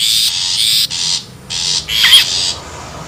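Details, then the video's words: Wild long-tailed shrike, recorded as a lure sound: three long buzzy, rasping bursts separated by brief pauses, with one quick wavering note. "SUARA ASLI PIKAT CENDET,PENTET ALAM LIAR"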